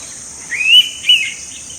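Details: Indian pitta calling in Goa, India, in May 2021: two clear whistled notes, the first longer and rising, the second short, over a steady high insect drone.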